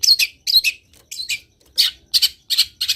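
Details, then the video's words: Vigorous song of a long-tailed shrike: harsh, scratchy double notes repeated about every third of a second. Each note is split into two rasping parts. "CENDET GACOR BIKIN BURUNG CENDET LAIN IKUT BUNYI - MASTERAN CENDET GACOR FULL ISIAN"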